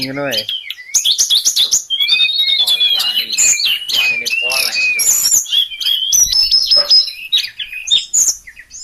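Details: Sulingan song of high whistles, chirps and quick trilled phrases, with a brief human voice at the very start.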